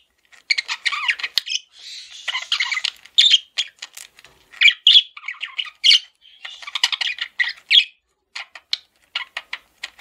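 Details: Male budgerigar kept as a pet, chattering in dense bursts of scratchy chirps and squawks with short pauses, high and buzzy, no other sounds.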